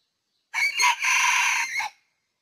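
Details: Early-season decoy Red junglefowl kept for trapping, Ninh Thuận, Vietnam, 2019: one strong, raspy crow about one and a half seconds long, a short opening note, a long sustained middle and a clipped final note, against a quiet background.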